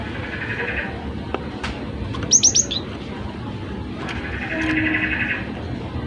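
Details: Cinereous tit singing briskly for bird training: a rapid run of four sharp high notes mid-recording, framed by soft buzzy background calls and faint hiss.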